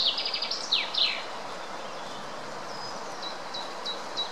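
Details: Greylag goose chicks feeding at the Munich Botanical Garden, Germany: a quick string of high, down-slurred peeps at the start, then quieter scattered peeps over steady outdoor background noise.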